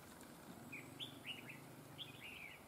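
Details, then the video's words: Red-whiskered bulbul during trapping, said to have an excellent voice with joined double phrases: a quick run of five or six clear, slurred whistles, each dipping then rising, delivered within two seconds over steady background hiss. "Bẫy chào mào GIỌNG CỰC HAY CÓ GIỌNG KÉP NỐI"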